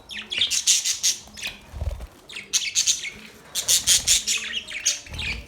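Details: Budgerigars chirping in fast, bright, scratchy bursts, several rapid notes in a row, briefly pausing near the two-second mark before resuming, with a few soft low thumps underneath.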